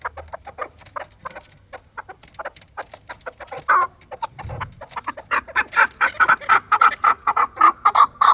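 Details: Fighting chukar partridge of the Dulani kind: soft, scattered clucks that build into a loud, steady run of sharp chuk notes in the last three seconds, about two per second.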